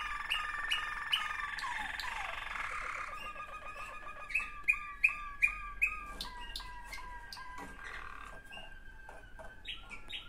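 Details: Waterslager canary, one of two siblings, indoors; rolling trill with rising upstrokes, then a row of loud clear repeated rising whistles about two per second, followed by quieter varied notes.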